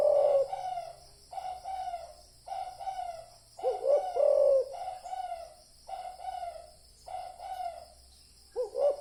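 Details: Spotted dove calling, played as a lure for decoy trapping: steady series of about eight hoarse coo phrases, evenly spaced, with a couple of louder wavering croos standing out.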